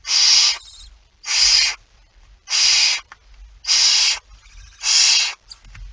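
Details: At the nest during feeding, 19 September 2019 at 05:28, a barn owl gives five even, noisy hissing bursts, each about half a second long, spaced a little over a second apart.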